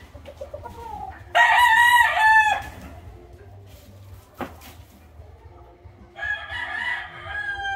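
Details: Miner Blue rooster in a breeding lot crows loudly: a long harsh multi-part crow lasting about a second, followed by a short sharp note and a second crow beginning near the end, with quieter clucking before it.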